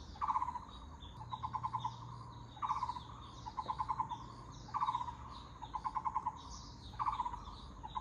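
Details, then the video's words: Taiwan barbet (Muller's barbet) giving short bursts of low, hollow, rapidly repeated knocking notes about every two seconds, over faint high chatter from other birds. "Muller’s Barbet 五色鳥"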